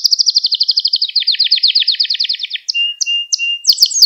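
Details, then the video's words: Gloster canary song played to stimulate other canaries: a long rapid trill that drops slightly in pitch, then short sweeps and a low steady whistle, ending in loud high notes. "Gloster Kanarya Sesi Ve Ötüşü | Kanarya Huylandırma | Kanarya Kızıştırma"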